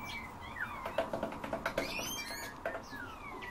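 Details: Eurasian bullfinch giving soft, downslurred piping whistles, one early and another near the end, with a run of short dry ticking sounds between them and faint chirps from other birds.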